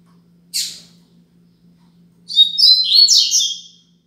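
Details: Tutor song of a Double-collared seedeater, Braddock line, style named Tui Tui Zel Zel Top, for young birds to learn: a single sharp high note, a pause, then a rapid chattering run of bright whistled and buzzy notes over a steady hum.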